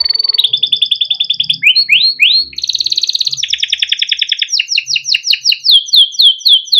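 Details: Yellow canary, a male kept in care, singing a long song with rolling trills, used to prompt young or quiet canaries: rapid buzzy trills at changing pitches, then a run of repeated falling whistled notes, fast and continuous.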